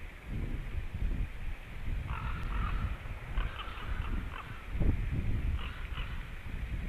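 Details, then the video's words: Pair of wild white-tailed eagles calling at their nest in Latvia as the male returns, 23 February 2017 around midday. Short clusters of rapid, yelping notes come in several bursts under constant heavy wind rumble. "Male out Returns Both are calling"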